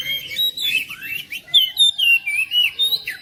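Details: An oriental magpie-robin sings to encourage another magpie-robin that is slow to sing at home. Varied sweeping whistles lead into a regular sequence of bright, rising and falling whistled notes, about four per second.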